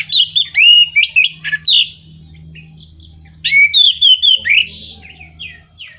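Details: Orange-headed thrush lure song for birds that are moulting, stalled or lacking breeding drive: varied rich whistles and rising, falling slurs in two long phrases, with a low electrical hum beneath.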